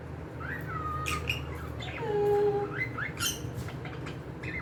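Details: Pet cockatiels giving soft whistled calls, some gliding downward and one lower drawn-out whistle, mixed with light chirps over a steady low hum.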